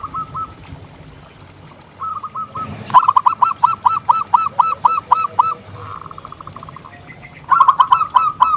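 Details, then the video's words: Local zebra dove in full song, offered as a lure for other doves: runs of quick, clipped, cooing notes, about four per second, with a short faster trill and a brief rustling burst between the phrases. "Suara Perkutut Gacor"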